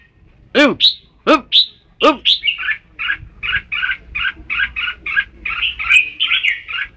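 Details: Red-whiskered bulbul song: after three loud, harsh, downward-arched calls, a run of short chirpy phrases follows at a quick, uneven pace, about one to two each second.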